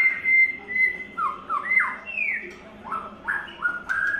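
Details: White-rumped shama, third molt, giving clear flute-like whistles: a level held note, then a string of short down-slurred and rising phrases repeated at irregular intervals, over a soft low hum.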